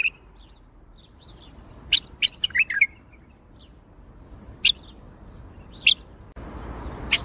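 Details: Baghdadi-style bulbul song: a lively phrase of five or six sharp, liquid whistled notes, followed by single spaced chirps, then a step up in background noise near the end.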